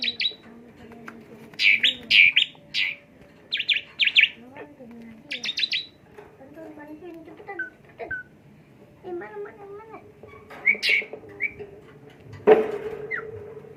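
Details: Asian pied starling song, used as a lure to stimulate another bird: bursts of buzzy, sharp high chirps in quick clusters alternate with lower warbling, whistled phrases and a harsh rasp, with faint voices in the background.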